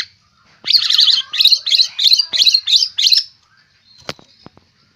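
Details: White-rumped shama described as fierce, a fighter type with a rich learned song fill; seven loud harsh buzzy bursts in quick series, followed by a few sharp clicks.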